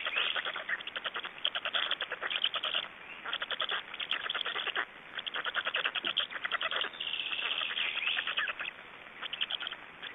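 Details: Black storks at a nest in Estonia during feeding, 26 May 2012: rapid bursts of harsh, rattling pulses in a continuous chorus, rising and falling in loudness in waves, with no other clear sounds.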